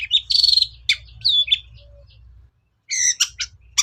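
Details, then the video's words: Long-tailed shrike singing a lure song to stir other shrikes into song: a sustained squeaky whistled phrase and mixed chatter, a brief pause, then a dense rasping burst of harsh notes. "SUARA PIKAT CENDET SUSAH BUNYI"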